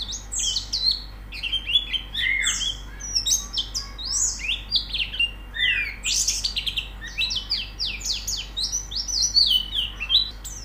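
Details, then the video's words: Extended white-eye song for singing therapy: a continuous, lively, high twittering of varied slurred chirps and whistles, with phrases overlapping in quick succession. "Terapi Pleci Cepat Gacor Buka Paruh"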